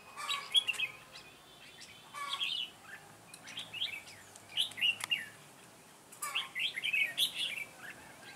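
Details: Decoy red-whiskered bulbul singing beside a trap on 9 June 2017 to lure wild birds; rapid, jumpy chirped phrases in several bursts, with sharp clicks between them.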